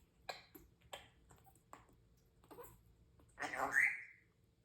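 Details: Merlin, a male pet Timneh African grey parrot, in the morning makes a few short, clipped speech-like chatters, then a longer raspy squawk with a rising whistled note, over a faint indoor hum.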